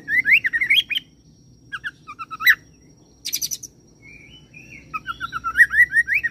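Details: Mimicking song of an oriental magpie-robin copying cililin and serindit: rapid rising whistled slurs, a pause with short chirps, a dense high buzzy trill, then a fast chirping run.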